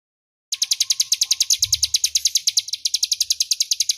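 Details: Crescent-chested warbler in ngebren style, a clear, loud master song for training magpie-robins: after a short silence, a fast, steady series of sharp high chirps about eight per second, with faint low rumble beneath.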